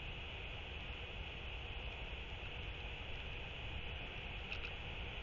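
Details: Steady broadband hiss and low rumble, like wind or rain, with no animal calls.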